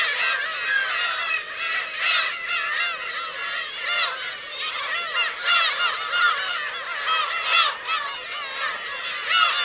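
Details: Many Black-tailed gulls, adults with chicks, calling on the Kurosaki shore of Teuri Island, Hokkaido, 17 June 2021; a thick din of nasal, downcurved mewing cries overlapping without pause, some louder sharp shrieks standing out.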